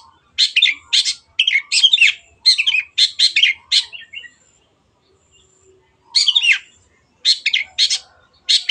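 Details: Energetic Long-tailed shrike song meant as a lure to prompt quiet birds to sing: runs of scratchy, grating notes in quick clusters, a pause, then more rasping bursts.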